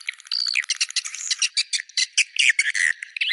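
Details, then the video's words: High squeaky twitters from swiftlets, "Goa China" style: a brief clear whistle early on, then a string of sharp chirps pulsing several times a second. "Goa China SUARA BURUNG WALET"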